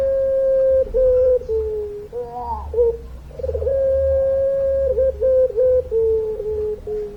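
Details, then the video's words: Puter pelung dove performing its long song, with steady humming coos, a warbling rising phrase in the middle, then a long, even note broken into short pulses near the end. "Puter Pelung Gacor Suara Panjang, Manggungnya Bikin Adem"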